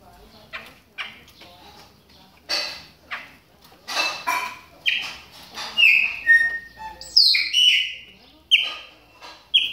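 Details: Warming up during moult, Chopi blackbirds start with soft clicks and rasps, then build into loud whistled notes and slurred high phrases, repeated roughly every second.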